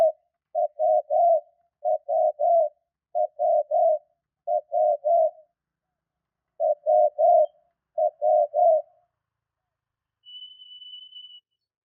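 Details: Spotted dove cooing, a call played to stir kept doves into calling quickly; low hollow coos in clipped three-note bursts, about eight phrases over twelve seconds, then a thin steady high whine near the end.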